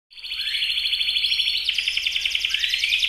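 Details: Canary singing energetically while held in the hand: a loud, high, continuous warble with rapid rattling trills and repeated chirps, running without a break, clean and free of other noise.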